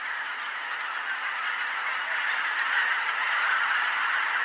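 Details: Greater white-fronted geese arriving in a flock at Kotomo Pond to roost, 13 October 2019, twenty minutes after sunset. Thick babble of rapid overlapping honks that swells gradually louder toward the end.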